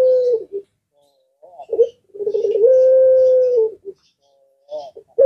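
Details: Puter pelung collared dove cooing, a call said to draw answers from other birds. Short coos lead into a long sustained level coo. Brief higher chirps from other birds sound faintly in the background.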